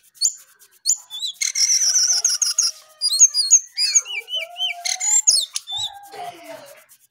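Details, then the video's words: Lesser shortwing singing vigorously in the early morning: fast strings of very high chirps and wavering trills, a rippling series of looping notes, then lower drawn-out slurred whistles near the end. "Jongkangan/cingcoang coklat Gacor Pagi Sekali"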